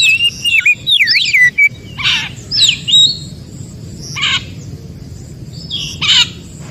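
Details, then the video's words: Forest Oriental magpie-robin, played to stimulate reluctant magpie-robins to sing. Twisting whistled phrases open the passage, then a few separate harsh, rasping bursts come a second or two apart. "kacer mana pun langsung Respon Degar suara Kacer yg 1 ini SUARA ASLI HUTAN"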